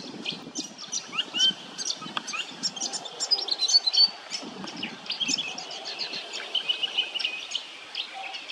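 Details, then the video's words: A Grey Fantail at Burrum Heads, Queensland, gives thin, high, rapid chips and squeaky twitters, tumbling almost without pause, over a soft low rumble of background noise. "Grey Fantail"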